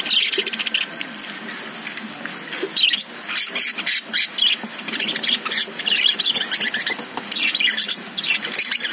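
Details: Lovebirds inside a cage keep up continuous twittering. High chirps and scratchy squeaks are packed into dense, irregular bursts.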